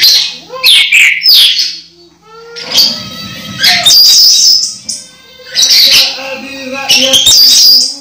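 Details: Orange-headed thrush close to moulting, still singing strongly: loud twittering whistled bursts separated by short quieter gaps with a low hum, the phrases varied and rapid.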